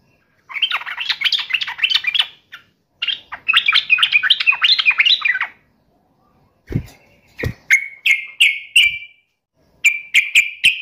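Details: Agitated sooty-headed bulbul in fighting mode: two long runs of rapid chattering whistles, then sharp clicking knocks and short repeated bright notes with brief gaps between them.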